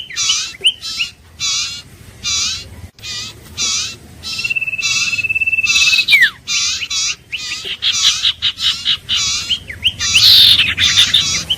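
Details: Iora calling: a run of buzzy, rasping bursts of notes, roughly twice a second, broken by a long, steady, high whistled trill that ends in a quick downward slur.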